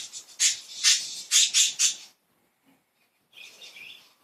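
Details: Happy, playful budgies give loud, sharp, high chirps in a fast series of about five bursts, then a short silence before softer, lower warbling chatter resumes.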